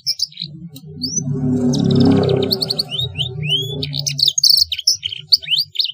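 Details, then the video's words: A Black-throated canary sings a varied run of high, rising whistles, sweet slurs and quick trills, with a low droning hum early on, used as song material for young canaries to learn from. "KENARI ISIAN BLACKTHROAT | KENARI PAUD BELAJAR BUNYI"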